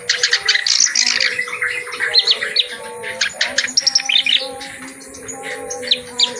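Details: Full-repertoire song of a clamorous reed warbler, loud and energetic, played as a tutor recording for birds that sing little. Scratchy, chattering phrases and bright chirps crowd together. Soft steady humming tones continue underneath.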